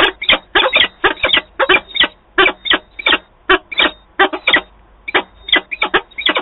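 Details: Peregrine falcons at their nest in Wałbrzych, Poland, 8 August 2022, during a meeting between the birds: loud, rapid, scratchy calls tumbling out in tight clusters, about 86 a minute, nearly continuous for over six seconds.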